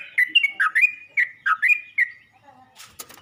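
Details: Yellow-vented bulbul calling to other bulbuls with a burst of about ten rich, gurgling chirps, then falling quiet as a faint rustle or knock follows near the end.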